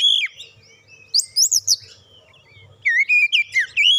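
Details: Oriental magpie-robin song played as a lure: a high whistled opening, sharp very high notes, a pause, then a rich run of slurred whistles.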